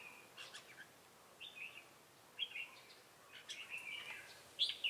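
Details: Red-whiskered bulbul, a trap decoy singing in the ché style, Bình Phước, Vietnam, 25 June 2018; faint, scattered short warbled phrases around mid-high pitch, ending with a brighter chirped burst, over steady background hiss.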